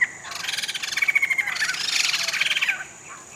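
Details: Captive Sumatran laughingthrushes, two pairs rescued from illegal trapping, kept in rehabilitation cages in Sumatra awaiting release, give a loud, harsh, rapidly pulsed chattering in two linked bursts lasting nearly three seconds, with a thin whistled tone running through it.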